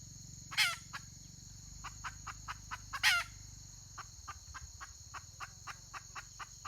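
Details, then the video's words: Red junglefowl hen calling, recorded 31 May 2023: two loud harsh rasping notes about two and a half seconds apart, with a run of soft short clucks between and after them, over a steady high whine and low hum. "Suab poj qaib qus tsauj"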